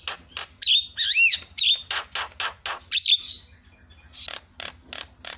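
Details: Starling chatter used to provoke caged starlings to sing: loud broad buzzy bursts mixed with swooping whistled slurs, then softer clipped notes and a thin high steady whistle.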